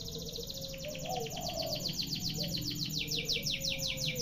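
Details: Canary delivering a long-running song: a fast, even series of short whistled notes, each sweeping downward, repeated many times per second, over a steady low hum.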